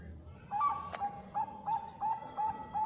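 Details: Bangkok zebra dove, a recording used to lure and excite competing birds. Quiet, distant coo notes repeat about every third of a second over a noisy background, with one sharp click partway through.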